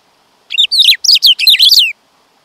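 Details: Loud, rich warbling phrase from a black-throated grosbeak, about one and a half seconds of connected whistled notes falling and rising in quick bursts.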